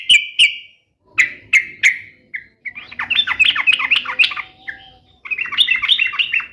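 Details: Singing sooty-headed bulbul, played to spur other bulbuls into replying: a few sharp separate chirps, then a long run of rapid, jumbled warbling phrases, followed by a second fast burst.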